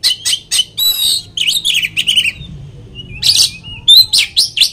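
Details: Oriental magpie-robin singing as a lure meant to agitate another magpie-robin: quick bright chip notes, then a run of falling whistled phrases, a pause, and harsh buzzy bursts mixed with high sweet whistles.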